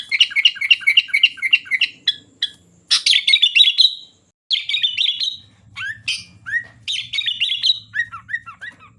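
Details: Sooty-headed bulbul singing energetically: rapid repeated chirpy whistles and bubbly phrases with rising slurred notes, almost continuous, over a faint low hum.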